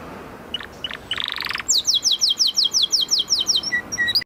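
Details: Canary song: short sharp notes, a buzzy rolling trill, then a long evenly spaced series of bright descending whistled sweeps closing with soft flat whistles.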